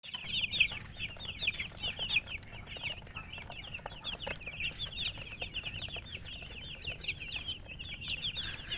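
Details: Domestic chicken chicks chirping in a dense, continuous chorus of many high, short peeping notes overlapping throughout, with a low background hum.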